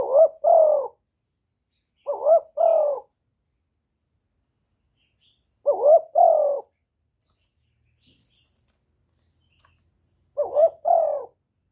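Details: Spotted dove cooing, a calling and urging series: four low two-part hooting coos spaced two to four seconds apart, each a quick double note with a dip between, in clean quiet surroundings.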